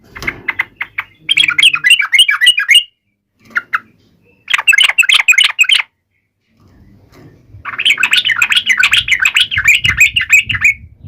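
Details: Yellow-vented bulbul rival-taunting song: three bursts of rapid chattering, bubbly notes separated by pauses, with faint low background noise under the last burst.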